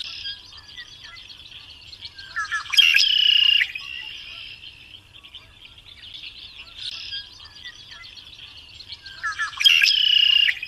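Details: Variable oriole in full song, giving two loud phrases about seven seconds apart, each a clicking burst and falling whistle leading into a steady buzzy tone, with soft continuous chatter in between.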